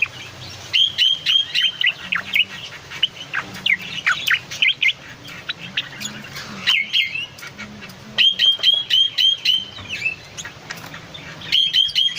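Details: Striated bulbul (cucak loreng) singing busily, a recording meant as a master or lure for cage birds; bursts of rapid, sharp chattering notes in clusters of four to six, separated by short pauses, with a faint low hum beneath.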